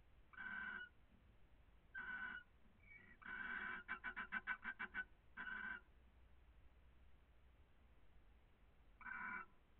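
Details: Barn owl pair caressing each other in Cabañeros National Park: faint, harsh, rasping bursts at uneven intervals, with one rapid stuttering run of about nine pulses in the middle. Quiet background otherwise.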